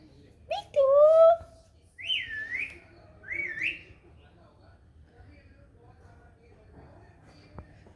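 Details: Playful pet parrot speaking Punjabi: a short voice-like syllable rising in pitch, followed by two high looping whistled notes a second apart, then quiet.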